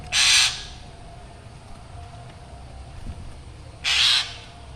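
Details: Actively calling black drongo with a reputedly scary voice: two loud, grating, hissy bursts, each under half a second, roughly three and a half seconds apart, against quiet low background hum.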